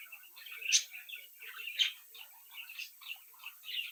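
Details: Captive budgerigar chicks chirping and singing together; soft warbling murmur with two louder sharp chirps about a second apart, then quieter repeated twitters.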